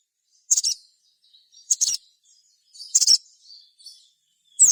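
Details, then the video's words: Sogon bird singing in lively gacor style, a recording played as a lure to provoke other sogon into song: short, sharp, high chirps in bursts roughly every 1.2 seconds, with faint thin notes between them, over a quiet background. "suara sogon gacor"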